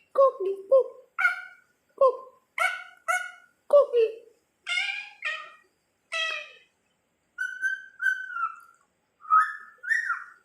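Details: Parakeet that mimics human speech, producing a string of short, nasal, word-like syllables in bursts with brief pauses, some falling in pitch, others held steady and high, over about ten seconds.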